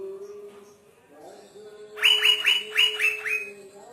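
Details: Asian fairy-bluebird in full song, said to make green leafbirds agitated: a quick run of six loud, sharp whistled notes with slurred tails, after a steady low hum.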